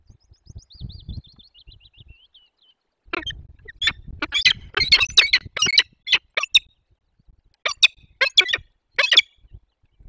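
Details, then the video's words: Peregrine falcon chicks at a forest nest in the Barycz Valley, Poland, on 17 April 2024, during feeding: thin wavering whistles, then a burst of loud, harsh, rasping squawks repeated in quick irregular series. "Karmienie piskląt - 2024 04 17 sokoły wędrowne"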